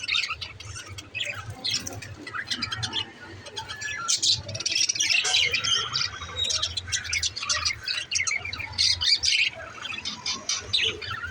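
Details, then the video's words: Budgerigar chirping: dense, rapid, high twittering and squeaky chirps that keep going throughout, with a low steady hum underneath. "parakeet chirping sound🐦💛 l parrot budgie talking original sound"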